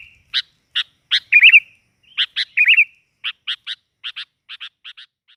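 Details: Kutilang, the sooty-headed bulbul, used as a lively gacor lure: series of sharp, clipped chirps spaced irregularly, broken twice by short wavering whistled phrases, then chirps in quick pairs fading toward the end.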